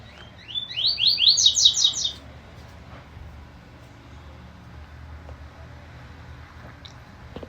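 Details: Double-collared seedeater recorded on 20 June at 10:43, giving a short song of rapid, rising sweet notes repeated in a quick series for about a second and a half, then near silence with faint background noise.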